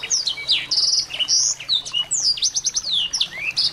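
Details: Lively chatter of small birds, meant to make a white-rumped shama sing: rapid high chirps, short buzzy notes and quick downward slurs, packed closely throughout.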